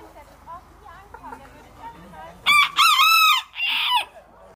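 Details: Rooster crowing: after a quiet stretch of faint background clucks and chirps, one loud harsh crow in three segments, a short opening note, a long sustained middle and a rougher final note.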